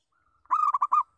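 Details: Local zebra dove giving a lure call: one short burst of about five quick, rolling cooing notes run together in a bubbling trill, mid-pitched, in an otherwise quiet setting.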